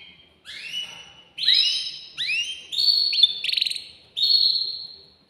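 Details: Song of an agitated male canary in a cage, urging a female to mate: a string of upward-sweeping whistles, a brief buzzy rattle, then a long level whistled note.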